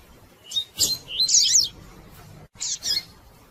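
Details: Double-collared seedeater female peeping, a call used to stimulate males to sing: a quick cluster of high, buzzy, tangled chirps, then a short pause and two more sharp high notes.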